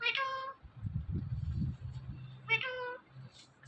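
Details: Talking parrot among repeated "Mithu" and meow-like words: two nasal, drawn-out harmonic notes about two seconds apart, with low indoor rumble and soft background noise between them.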